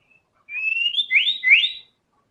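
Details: White-rumped shama giving a clear whistled phrase of three upward-swooping, sliding notes, pure and high, lasting just over a second in silence.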